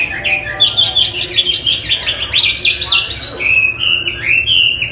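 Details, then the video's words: A Chinese hwamei singing fast, bright whistled phrases with rapid sharp notes layered in, the song rising and falling continuously throughout. "Hwamey Wambi gacor isian istimewa"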